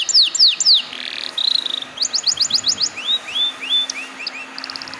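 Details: Canary singing for use as a lure to start other canaries singing: downslurred whistles, a buzzy roll, a short rapid trill, then a run of rising slurred notes and soft chirps.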